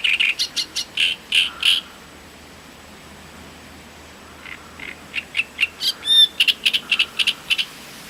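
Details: Great reed warbler from Voronezh, Russia, recorded 2012: bursts of loud, guttural, creaking syllables, a pause of several seconds, then a renewed harsh chattering run with one clear whistled note.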